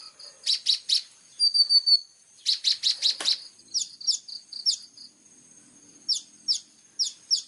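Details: Clear-voiced plain-throated sunbird singing in sharp 'full tembakan' style for a tutor recording: clusters of high chirps, a thin whistled note, then well-spaced quick downslurred notes.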